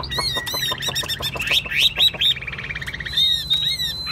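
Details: Vietnamese caged Chinese hwamei singing a chattering, varied phrase: quick clicking notes and rattles woven with short whistles, ending in a long, level, high whistled note held and repeated, with low hum behind.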